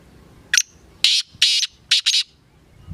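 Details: Black francolin, called kala teetar locally, calling clearly: one brief sharp note, then four rasping, grating bursts, the final two run together, against a quiet background.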